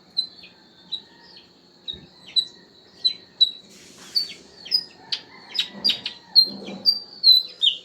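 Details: Pied bushchat: a steady series of short, high, thin whistled notes, roughly two per second, over faint background chatter and a few soft knocks and rustles.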